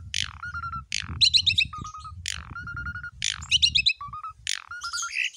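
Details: Javan pied myna song meant as a training recording to spur other mynas into singing: loud harsh buzzy bursts, each followed by short rattled notes and a flat whistled tone, repeated about every second, with low rumbling background.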